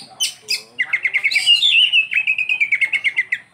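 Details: Isian song of an Oriental magpie-robin (kacer): a few high opening whistles, then a rapid, fairly even run of short bright notes, about three per second, slowly falling in pitch.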